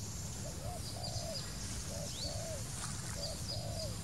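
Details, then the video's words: Two clear phrases from a wild spotted dove, each a quick pair of low hoots followed by a long, gently falling coo. Thin high whistles and chirps from other birds, with low rumbling noise underneath. "wild bird, Dove - นกเขาใหญ่"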